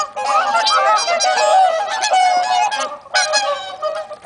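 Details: Many swans honk and trumpet in a loud, continuous chorus on a windless, sunny late-autumn day, pausing briefly at about three seconds.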